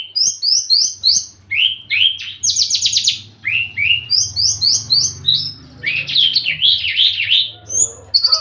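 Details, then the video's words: Javan bush lark in breeding condition delivers a varied string of high rising chirps, buzzy trills and warbled slurs, with a low hum running underneath. "branjangan lagi over birahi minta kawin"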